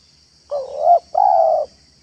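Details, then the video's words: Spotted dove cooing in a yard in manggung and meratus style, played to lure other doves: two long, smooth, mid-pitched coos with a short gap, the first swelling louder toward its end. A thin steady high whine is in the background. "BALAM AJARAN MANGGUNG DAN MERATUS DI LAMAN ⭐ MEMIKAT BALAM"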